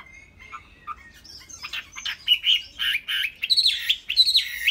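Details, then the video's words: Chinese hwamei, a caged bird in Vietnam, sings a loud, varied phrase that begins with a thin rising whistle and breaks into a run of rich, slurred notes and harsh accents that grow louder toward the end. "Chim Họa Mi"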